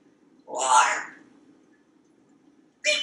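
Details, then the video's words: Pet African Grey Parrot indoors in a Texas home, chatting from a kitchen faucet; a single brief word-like sound, then a long quiet gap and the start of another utterance, with low room hum throughout. "Einstein resolves to talk more in 2020"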